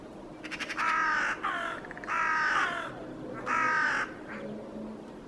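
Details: Hooded Crow in Helsinki, Finland, February 2022, vocalizing in a tree during a staring contest after mobbing a Northern Hawk Owl with magpies: a short rattling burst, then three harsh, drawn-out caws a second apart, a fainter call after.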